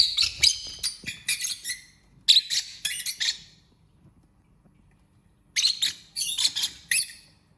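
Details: Lovebird singing and chirping: two bursts of rapid, high, scratchy twitters and squeaky chirps, separated by a silent pause of about two seconds.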